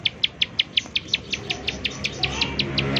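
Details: Bar-winged prinia in its 'nembak' calling, played as a lure to get other prinias to sing: sixteen or so crisp, high, clipped notes in quick succession, gradually fading, with low background hum.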